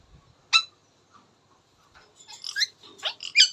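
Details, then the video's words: Indian ringneck parakeet talking: a sharp high squawk, then after a pause a quick run of chattering, harmonic syllables ending in a loud bright squeak. "Indian Ringneck Talking Funny Parrot Sound"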